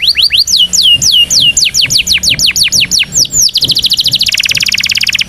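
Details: Indonesian canary singing a powerful training song for young canaries: loud series of high whistled notes sweeping downward, then rising, accelerating into a fast dense trill at the end.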